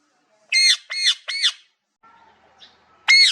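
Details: Parrot copying cat meows: three loud, arched, nasal squawks in quick succession, a brief faint lull, then a fourth matching meow-like call.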